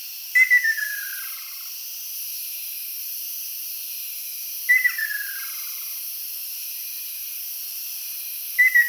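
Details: Ryukyu ruddy kingfisher calling on an island on 17 May 2022, heard all over the island: a falling, rolling trill about a second long, repeated roughly every four seconds over a steady high hiss of insects.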